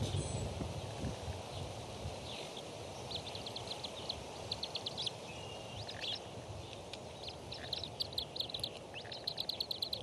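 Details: Three bald eaglets crowded together at the Decorah nest while a parent feeds them fish; bursts of rapid, high, thin chirps come in quick runs over steady wind-like rumble and hiss.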